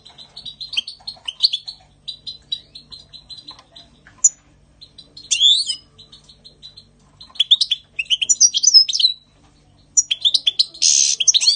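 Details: Spring 2020 goldfinch song, a lively tinkling twitter of quick high notes broken by sweeping slurred calls, short pauses and a harsh buzzy burst near the end.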